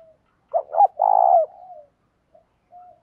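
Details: Spotted dove decoy bird in the thổ pha voice style, calling to provoke rival males to fight: a loud stuttering double note, then a long throaty coo ending in a softer trailing note, all low and mellow.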